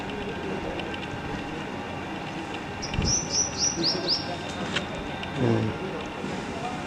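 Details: Juvenile black-eared kites just learning to fly from the nest; a quick run of about six high, thin, descending whistled notes, each sliding down, over steady traffic rumble and faint voices.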